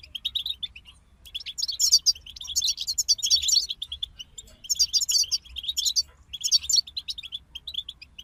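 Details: Group of European goldfinches singing: bursts of rapid, twittering, liquid chirps and trills, high and bright, in phrases of one to two seconds separated by short pauses, over a faint low hum.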